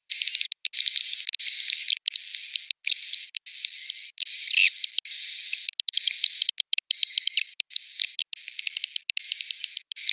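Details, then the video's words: Swiftlet roosting call of the Piro 89 style: dense high buzzy chirping over a steady thin whistled tone, delivered in bursts about a second long broken by brief silent gaps. "Suara Inap Burung Walet"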